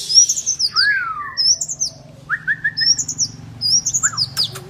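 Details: Oriental magpie-robin, a kacer, singing for a therapy track to get quiet birds singing; sweet arching whistles alternating high and low, short buzzy trills and a brief click burst.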